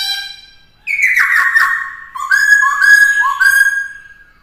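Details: Black-throated laughingthrush singing during song training of a young bird; after a fading note, a bright falling whistle leads into a quick series of loud, clear whistled phrases stepping up and down.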